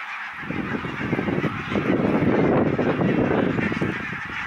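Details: Thousands of greylag geese arriving on Islay, Argyll, Scotland, from Iceland for winter, filmed 7 October 2020: a swelling mass of overlapping honks building after a brief quiet start, over a steady background hiss.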